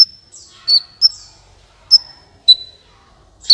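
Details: Sunbird in energetic song, used as a lure to prompt other birds to sing: sparse sharp high chirps and thin sustained whistled notes, spaced about half a second to a second apart, in a quiet setting.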